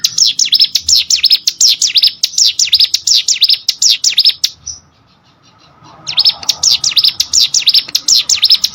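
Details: Hill prinia song meant for tutoring competition birds, with quick chains of high dipping notes, a silent break of about one and a half seconds, then the same rapid swept phrases resuming.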